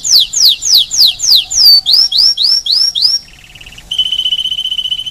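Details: Caged-style song of a Spanish timbrado canary on Rhodes island, Greece: loud descending sweeps repeated in series, followed by a brief pause and a steady high ringing trill held to the end.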